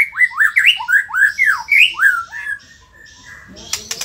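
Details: White-rumped shama from Indonesia singing a quick run of loud whistled notes, each sweeping up then down, about ten in two and a half seconds, trailing into faint high twitters and a few sharp clicks.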